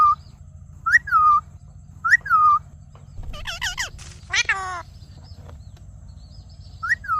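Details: Ring-necked parakeet, presented as a talking parrot, repeating a rising-then-falling whistled phrase, broken midway by a burst of harsher, buzzy, harmonic-rich calls, with a constant low background hum.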